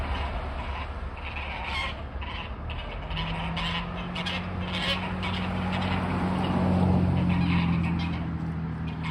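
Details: Snow geese near a front porch, heard as a string of fainter, quick honks repeated several times a second, with a steady low hum and rumbling noise underneath.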